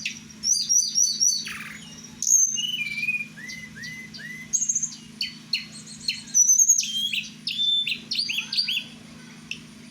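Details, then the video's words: At night, a kept blue flycatcher (tledekan Merapi) sings quick repeated notes, soft falling whistles in a series of three, then lively high trills and chips over a steady low hum. "Malam2 mainin burung ( tledekan Merapi"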